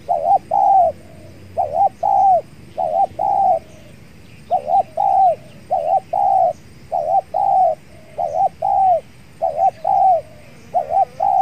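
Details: Spotted doves cooing at a trapping site with a decoy bird and a very aggressive wild dove: repeated low paired coos with drawn-out notes, roughly a phrase every two seconds, over steady insect buzz and faint chirps.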